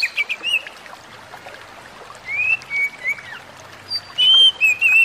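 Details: Oriental magpie-robin song, played as therapy for a stressed kacer and said to make other kacer agitated: clear whistled phrases, some rising and slurred, in bursts separated by short pauses.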